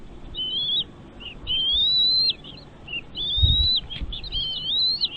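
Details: Chicks in a nest begging while parent birds feed them; long high whistled calls, rising and wavering, given in bursts with short gaps, and a few soft knocks beneath.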